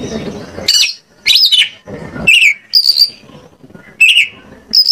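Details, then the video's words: Indonesian Oriental magpie-robin lure song meant to prompt singing: loud arched sweeping phrases followed by separate high whistles and falling slurs, with low rumbling noise at the start. "PANCINGAN KACER AGAR ON MAU NGOBRA !! KACER MANAPUN PASTI LANGSUNG NYAUT"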